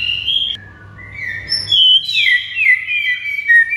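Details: White-rumped shama (murai) master song: long pure high whistles, a pause, then a bright cascade of slurred descending whistled notes in rapid succession.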